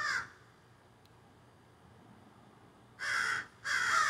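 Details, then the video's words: Squawking crows in trees behind a garden, cell phone recording: one harsh caw, a quiet gap of nearly three seconds, then two loud raspy caws close together. "A Jungle Or Crows"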